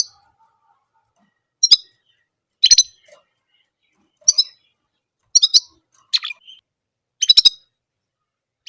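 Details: An orange German canary gives short, bright, chirping bursts about once every one or two seconds, each a quick cluster of high notes, with quiet pauses between.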